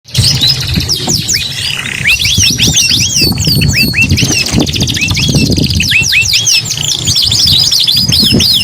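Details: Canary in energetic, continuous song: rapid series of high swooping whistled notes, many sharply rising and falling, packed into rolling trills with short buzzy bursts, over a steady low rumbling background noise.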